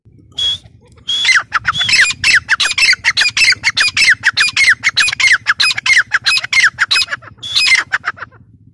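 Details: Grey francolin calling: a loud harsh series of rapid squawking notes, each with a falling inflection, repeated about a hundred times a minute, opening and closing with longer level whistled notes.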